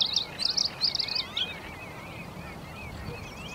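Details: Bluethroat of the subspecies cyanecula singing in April 2017 at Uitkerkse Polder, Belgium: quick bursts of high twittering, jumbled notes in the first second and a half, then fainter warbles, over steady outdoor background noise.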